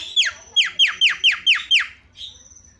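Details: Starling lure song to stir silent birds: seven loud whistled notes, each dropping steeply, in quick succession, then a softer thin tone.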